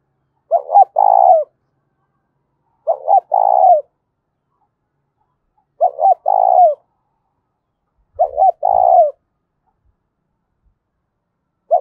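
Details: Spotted dove giving a loud, ringing challenge call, a quick double note and a longer falling coo, repeated four times about every two and a half seconds, with occasional low thumps.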